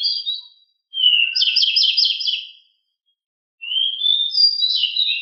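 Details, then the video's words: Pied bushchat, known as decu, giving its very agile, loud ngeroll rolling song: a short twitter, then a buzzy run of rapidly repeated trilled notes, a pause, and another high warbled phrase. "Sangat Ngeroll!!! DECU sangat gesit suara sangat berisik"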